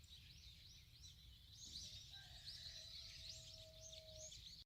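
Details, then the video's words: Rural birdsong in the countryside: a busy stream of high, quick chirps and trills repeated rapidly, with a long faint steady tone running underneath and low background rumble. "자연 새 소리"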